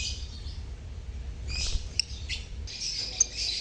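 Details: Colony of lovebirds chirping to encourage quiet lovebirds to sing; soft high twittering builds into brief shrill bursts, with single sharp squeaks standing out over a low hum.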